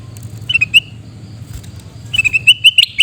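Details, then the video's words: Sooty-headed bulbul calling near Busu Reului, Mutiara, Pidie, Aceh: two bursts of bubbly, slurred whistled notes. The first is brief; the second is longer, rising and chattering. A low steady hum runs underneath. "Suara Teriakan Burung Kutilang Emas"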